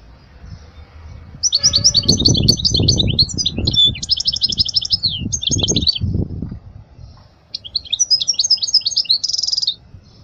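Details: Teaching song for young goldfinches from a European goldfinch: lively jangling twitters and trills in two bursts, the first overlaid by heavy low thumping noise, the last ending in a buzzy note.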